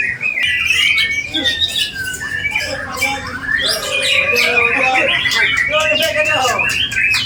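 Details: White-rumped shama in the bowing posture, singing a rich mimicry-filled song with a sharp, piercing voice: a dense run of whistled and chattering phrases, mostly high, loud throughout with barely a pause.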